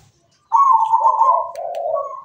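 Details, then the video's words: Local perkutut, the zebra dove, singing strongly: one sustained cooing phrase, a level mellow tone that drops into a lower rolling coo and then lifts slightly again at the end, with faint clicks in the background. "Perkutut lokal gacor suara mewah"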